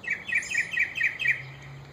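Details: Mockingbird from a breeding pair whose young have just left the nest: a quick string of six harsh chirps, evenly spaced, fading after a second and a half.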